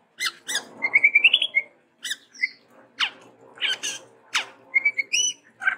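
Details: Chestnut-rumped babbler, described as endemic to Sumatra, singing actively with variations: harsh squawky notes and steep downslurred calls around a short rising trilled phrase, with gaps of silence between bursts.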